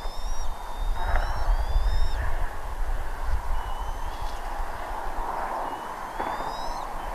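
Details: Bald eagles at a nest in Redding, 25 April 2021, 07:00: thin, high, whistled calls with harmonics rise and break off in short series, over a heavy low rumble of wind or traffic.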